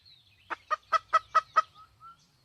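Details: Red junglefowl hen with six short, rapid clucks rising then fading in loudness, followed by two soft drawn-out notes; a faint low rumble underneath.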